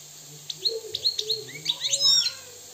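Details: Moroccan European goldfinch delivering a short, quieter phrase of high tinkling twitters that build into a jumbled liquid flourish over a faint low hum.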